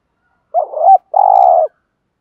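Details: Spotted dove giving one coo phrase, meant to excite male doves: a rising, wobbling hoot followed by a longer, even, burry note, with clean silence around it.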